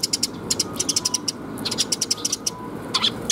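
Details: Sparrows coming to be fed at Mizukami Bridge on 26 June 2021: dense bright chirps in quick clusters, several birds calling together, with a steady faint hum underneath.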